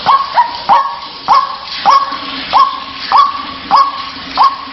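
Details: White-breasted waterhen lure call used to draw the bird out of its nest or hiding place: about eight loud, harsh notes, each rising sharply then levelling off, repeated roughly every 0.6 seconds in a steady series.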